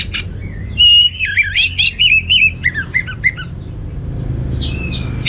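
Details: Orange-headed thrush in full teler song with plentiful material. A run of clear whistles breaks into a rapid string of looping, warbled notes, followed later by a soft descending whistle.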